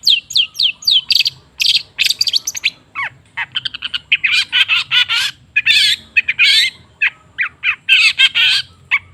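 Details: Long-tailed shrike singing in a lure recording for silent cendet: harsh squawks, steeply falling whistles and scratchy chatter delivered in rapid, varied bursts with hardly any pauses.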